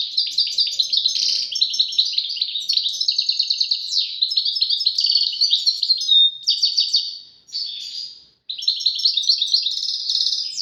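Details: Long continuous European goldfinch song from a caged bird: dense tinkling twitters, rapid trills and chattering notes pouring out almost without pause, one clear whistled note midway, then a short gap before the song resumes.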